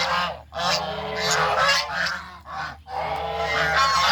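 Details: A group of geese walking to find food on a farm, their harsh honking coming in long overlapping bouts split by two brief quiet gaps.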